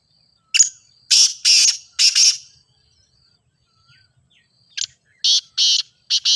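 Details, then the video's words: Grey francolin (teetar) calling, used for training kept birds so that a silent teetar starts to call. Harsh, loud phrases: a short sharp note, then two long rasping notes, repeated twice with a pause between. "Teetar Voice for Calling"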